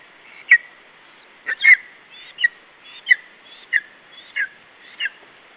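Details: Estonian nest, 21 July 2012: a lesser spotted eagle chick keeps a parent from its food. Brief whistled yelps with sharp ticks alternate with soft rising squeaks, roughly one per half second.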